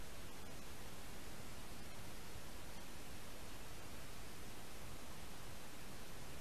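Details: Constant hissing static covers the whole recording, with no animal calls.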